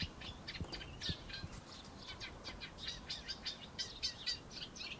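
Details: Eurasian reed warbler in a laurel bush giving its chattering song: dry, churring phrases and sharp chirps in quick succession, with a few soft low knocks near the start.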